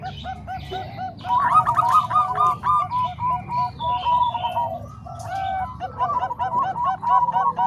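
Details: Training mix of Bangkok and Cemani Kolbuntet zebra doves: bursts of rapid, bouncing coo notes, several voices overlapping and swelling in waves, with short dips between phrases.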